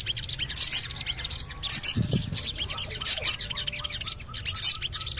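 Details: Lure call of a Javan cochoa, used to get birds singing. Scratchy very high chirps come about once a second, with a short low thud and faint background whistles.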